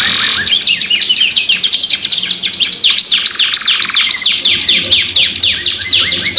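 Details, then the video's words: Canary giving a long lure song: a high steady note opens, then rapid descending sweeps about four per second and a buzzing trill near three seconds, continuous and bright. "PANCINGAN KENARI GACOR PANJANG 2 IN 1 | CANARY SINGING"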